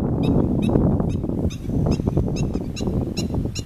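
A black-winged stilt gives sharp, high yapping notes about twice a second, nine in a row, over a heavy low rumble of wind.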